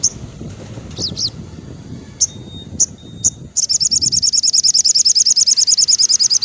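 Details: Crimson sunbird singing in the afternoon, played to stimulate captive birds that have stopped singing: scattered thin high chips and short slurred notes, then a fast, very high trill of evenly repeated notes running to the end.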